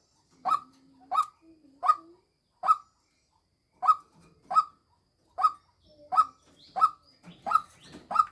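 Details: Repeated short, harsh croaks from a decoy female white-breasted waterhen come in a steady series of about eleven notes over eight seconds, with a faint low hum early on.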